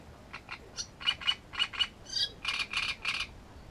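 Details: Grating, frog-like song phrase of a Great reed warbler recorded at Grachevka: paired harsh croaks, a brief higher squeaky note, then a run of three loud rasping notes, with a quiet background.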